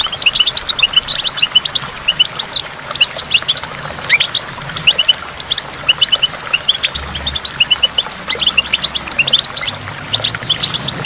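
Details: Goldfinch singing at a waterfall: bursts of quick high twitters and trills separated by short pauses, with falling water constant in the background.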